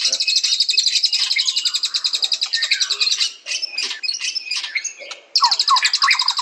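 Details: Fast high trill from a white-rumped shama for three seconds, then a jumble of chattering, varied notes, with the rapid trill resuming near the end.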